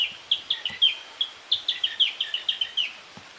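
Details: Rapid series of sharp high chirps, about a dozen in three seconds, with softer lower notes tucked between, from a Narcissus flycatcher singing among green foliage in northern Harima, central Hyogo, Japan.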